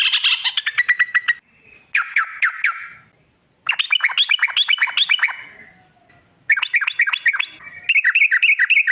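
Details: Lure recording of sooty-headed bulbul 'ropel' song: several bursts of quick bubbling chirps and trills separated by short silences, each phrase fast and slightly varied.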